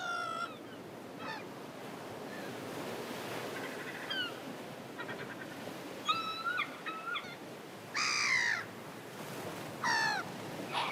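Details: Gulls heading home in flight at sunset. Scattered, nasal, slurred cries rise and fall, with faint distant calls early on and louder, drawn-out wails near the end, all over constant background hiss.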